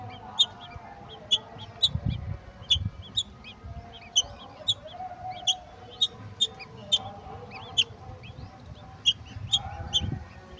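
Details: Golden oriole feeding a mantis to its chicks: short, sharp, high chipping notes repeated irregularly, about sixteen across the stretch, over a low rumbling background.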